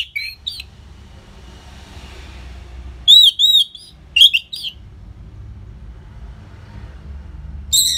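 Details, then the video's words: Orange-headed thrush song for prompting caged birds, Singaraja, northern Bali: brief loud phrases of high looping, warbled whistles spaced several seconds apart, with a soft low rumble between them. "Pancingan & Masteran ANIS MERAH Gacor Jeda Rapet Suara Keras || Burung Macet Pasti Ikutan Bunyi."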